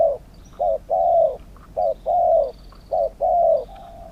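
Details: A spotted dove sings in a Thai dove-singing competition that pits a wild bird against a cage bird. Its phrases follow one another steadily: a short coo, then a longer falling coo, with faint high chirps behind.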